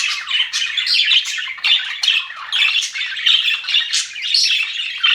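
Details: A group of happy budgies in an aviary, with quick rasping chirps and squawks coming in short overlapping bursts, roughly several per second, forming a lively chatter.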